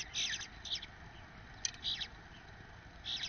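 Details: A male Eastern Bluebird feeds one of his nestlings from the first clutch. Short, scratchy high chatters come in bursts about every half second to second, with a soft hiss of background noise throughout.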